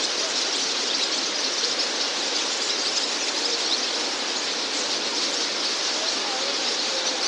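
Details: On a July 18, 2020 evening around 19:10 at Akasaka lower pond, Toyonaka, Japan, about 10,000 Barn Swallows gather at their roost, twittering without pause in a dense, high, hissing chatter with no single voice standing out.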